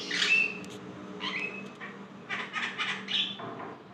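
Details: Javan myna (jalak kebo) in lively song meant to spur other mynas: a loud scratchy squawk with a thin whistle, a pause, then a cluster of harsh chattering notes and a rasp.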